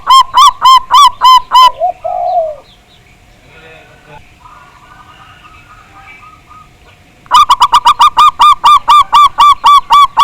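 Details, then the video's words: Zebra dove, local Javanese bird, on a lure recording used to make other zebra doves sing, prized for a big voice: quick bursts of bright staccato coos, five or six per burst, at the start and end, with a quiet stretch and faint lower cooing between. "Pancingan Perkutut Agar Bunyi, Suara Besar Mantab"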